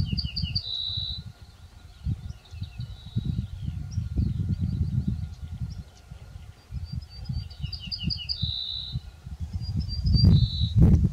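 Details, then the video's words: Ortolan bunting in farmland where several birds sang from walnut trees, giving repeated phrases of quick high notes ending in a longer sustained whistle, two main phrases with fainter distant song between, against constant wind rumble and a loud thump at the end. "CHANTS D'OISEAUX : LE BRUANT ORTOLAN (Emberiza hortulana - Ortolan Bunting)"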